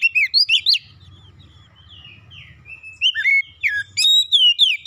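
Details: White-rumped shama song for therapy of a stressed caged bird: quick chirped whistles, a softer stretch of thin drawn notes over low background hum, then loud swooping whistled phrases.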